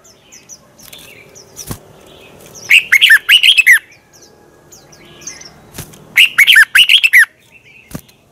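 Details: Red-whiskered bulbul morning song used to train and provoke other bulbuls into singing and song contests; two bursts of rapid, looping whistled notes, each about a second long, separated by quiet gaps with faint chirps and clicks.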